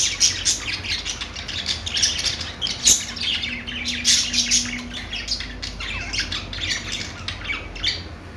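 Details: Budgies singing: dense, continuous chattering warble of rapid chirps, squawks and clicks from pet parakeets, busy and overlapping throughout, with a brief low steady hum in the middle.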